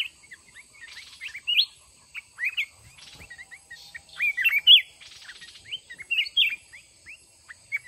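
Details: Mountain red-whiskered bulbul in a caged fighting trap, caged one month before this test, pouring out many short sliding whistled chirps in quick irregular bursts.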